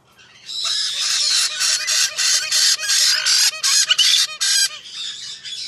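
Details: White-bellied parrot in a rapid, continuous run of harsh, grating squawks, several per second, loud and broadband, slightly irregular in spacing throughout nearly six seconds.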